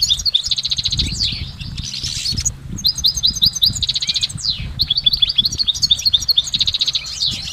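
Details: Goldfinch singing in nature with a layered, continuous twitter: fast trills, sliding notes and bright chirps alternate almost without pause, the phrases bursting out in quick succession over soft low background noise.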